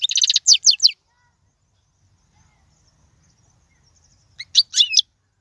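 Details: European goldfinch song used for teaching young birds: two bursts of rapid, high, buzzy twittering notes, one at the start and one near the end, separated by several seconds of near silence with faint low rumble.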